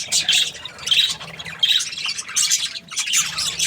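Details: Happy budgerigar chirping in harsh, scratchy high bursts that come in irregular clusters about every half second to second, with brief quieter gaps between the squawky phrases.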